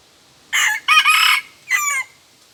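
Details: Red junglefowl in the wild, drawn in by a decoy, said to crow just twice. A single harsh, ragged crow comes in three bursts, a short one, a long strained middle, and a final note that drops in pitch.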